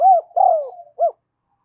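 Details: Spotted dove decoy cooing to lure wild doves: three low hollow coos, the middle one longest, falling slightly, in a quiet setting.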